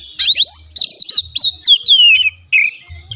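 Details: Oriental magpie-robin singing as lure material for reluctant caged birds: a bright run of whistled notes, one long descending slur, brisk chirps and a final buzzy phrase, with a soft low hum underneath.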